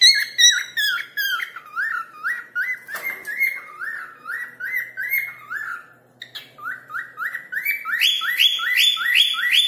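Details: Pet cockatiel whistling melodiously and calling a person's name: a run of clear rising whistled notes repeated about twice a second, a brief pause, then a louder, higher series of rising whistles with harmonics.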